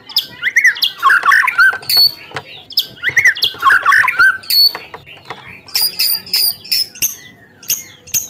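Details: White-rumped shama singing to rouse rival birds, repeating a short phrase of harsh chattering notes twice, followed by sharp high ticking chips and brief metallic notes.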